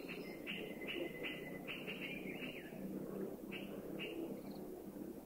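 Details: Puff-throated Bulbul in Thailand forest, a sentinel giving warning of anybody or any danger: harsh, scratchy descending notes repeated rapidly in uneven bursts, with a faint steady whistle-like tone beneath and soft forest background.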